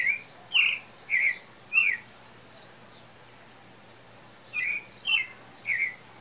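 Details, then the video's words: {'caption': 'Song of a pale-breasted thrush near breeding season: three bright whistled notes in quick succession, a pause of over two seconds, then four more similar whistles, some with a slight upward or downward slur.'} "Sabiá Branca Cantando Afinado"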